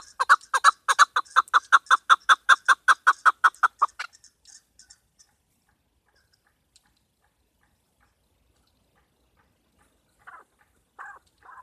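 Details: Female chukar partridge calling for hunters: about twenty loud, evenly spaced chuck notes over four seconds, followed by quiet with a few faint notes later.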